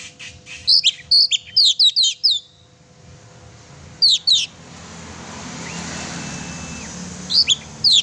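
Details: Chatty oriental magpie-robin song used to provoke a pet magpie-robin: a rapid run of sharp high chirps, a short pair of notes, then steady rushing noise like passing traffic and a few final chirps.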